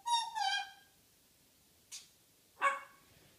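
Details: Pet African grey parrot, female, chattering in the morning: a rich harmonic whistled note with a slight waver, a pause, then a short noisy click and a brief buzzy squawk.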